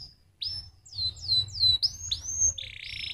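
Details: Quieter canary song for stimulating other canaries to sing: a few clear slurred whistles and arching notes, ending in a low buzzy trill.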